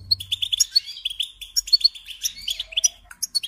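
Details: Brief burst of European goldfinch song meant for tutoring songbirds: quick, evenly spaced tinkling notes and twittering chirps, about five or six per second, bright and metallic.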